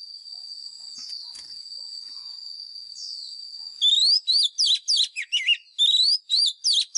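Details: White-rumped shama song used to coach caged birds, in fighting style: after a few seconds of faint high whine, a loud run of rapid, twisting whistled notes begins and continues.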